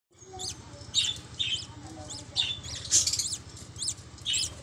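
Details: Budgerigar (Melopsittacus undulatus) chicks, a pair's first young in a small home loft, give high, squeaky begging chirps in short bursts while the parents feed them.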